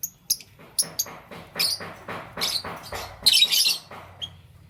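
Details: Morning lovebirds, green, yellow and lutino: sharp clicking ticks and brief scratchy chirps repeated roughly every half second, building to a louder raspy burst before fading.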